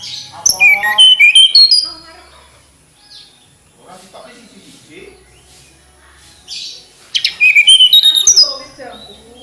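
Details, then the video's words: Mountain flycatcher (tledekan gunung) singing two bursts of rapid, high, sliding whistles separated by a quieter stretch with soft low sounds. "Kicau Merdu TLedekan Gunung"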